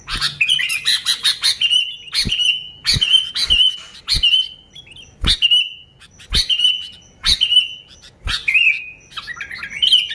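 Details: Bulbul lure song from a sooty-headed bulbul: a run of fluttering chirps, then evenly spaced short whistled phrases, each preceded by a sharp click, roughly fifty per minute.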